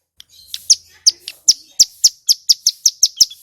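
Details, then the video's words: Loud, clear song of a male Bar-winged prinia (ciblek gunung): a steady series of sharp, high, ringing chip notes repeated about four to five times per second, with a faint low hum underneath. "Suara Asli Ciblek Gunung GACOR Ini AMPUH Bikin Semua Burung CIGUN Bahan Langsung EMOSI & Nyaut Bunyi"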